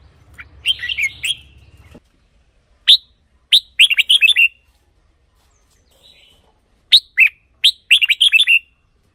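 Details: Red-whiskered bulbul singing to excite caged birds: a rolling whistled phrase, then spaced sharp chirps and two more quick, bubbly phrases, with a brief low hum at the start.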